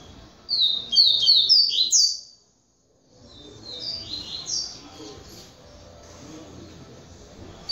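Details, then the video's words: Captive double-collared seedeater, a breeder's male singer of the Polish style, delivers a loud burst of quick, sweet whistled notes sliding up and down, then pauses before a softer, more distant phrase of similar notes. "COLEIRO POLACO GALADOR"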